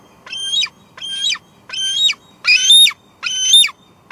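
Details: A female bald eagle at the Two Harbors nest, July 2022, squeeing repeatedly while leftover food lies on the nest; five evenly spaced high squealing notes, each slightly descending, roughly every 0.7 seconds.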